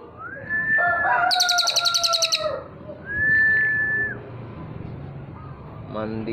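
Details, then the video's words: Cililin singing vigorously, recorded for use as a master song for training other birds: long, drawn-out, level whistles, one with a buzzy overtone layer, then a rising clear whistle and a short rapid note burst at the end. "cililin gacor dor atas bawa nembak terus cocok buat masteran"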